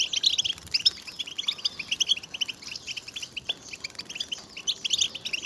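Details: European goldfinches calling as a group, with mating and readiness calls meant to excite males into song: busy high-pitched twitters and liquid chirps in quick bursts, several birds overlapping, with a few harsher notes.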